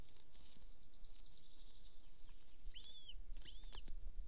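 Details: Estonian Golden eagle nest near a military training area, 26 April 2024, 13:50: after a stretch of faint hiss and a thin high drone, two clear high down-curving yelps about a second apart.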